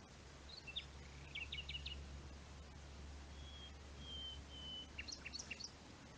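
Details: A common nightingale sings in the pine woods of the Rodeno protected landscape, Sierra de Albarracín, Teruel, Spain: a quick burst of repeated chips, then long pure rising whistles, ending in sharp clicks over a steady low rumble.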